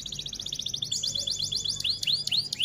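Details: F1 canary delivering a fast even trill roll of high repeated notes, switching into sharp descending whistles near the end; part of a long tutoring song with tembak shots.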